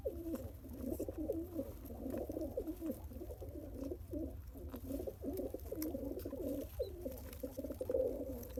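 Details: Pigeon father pumping food into his one-day-old chick: continuous husky, low bubbling pulses in quick irregular bursts, fairly loud, with a steady low hum underneath.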